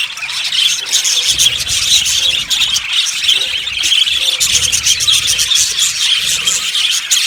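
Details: Yellow budgies in an aviary colony keep up a steady flock chatter of bright chirps and buzzy warbles. A faint low rumble sits underneath.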